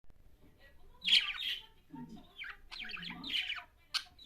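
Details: A budgerigar, a Japanese budgie, chatters in bursts of scratchy, warbling chirps and squawks.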